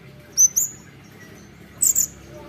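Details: Chattering olive-backed sunbird: two pairs of sharp, very high, sweeping chirps about one and a half seconds apart, each note thin and bright, with faint low background hum between them.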